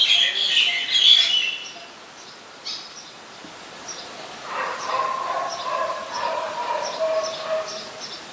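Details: Oriental magpie-robin in Ubon Ratchathani, Thailand, 17 November 2021, opens with a loud rich whistled phrase, then quieter scattered high notes and a softer lower warbling passage of repeated short notes.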